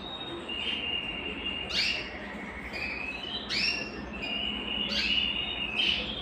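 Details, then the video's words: Belgian canary song for warming up males and bringing hens into breeding condition: high rolling trills interrupted roughly every two seconds by sharp upward-sweeping flourishes, over steady background hiss. "Canto Para Esquentar Canário Belga e Foguear as Fêmeas"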